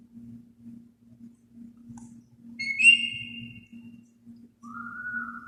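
An African grey parrot gives a clear high whistle that slides downward, then a lower, slightly rising whistle, over a steady low indoor hum.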